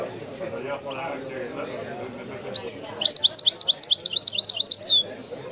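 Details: European goldfinch in the Wedani song style: after low background murmuring, a few high whistles lead into a rapid, rhythmic run of bright rising chirps that ends in a falling note.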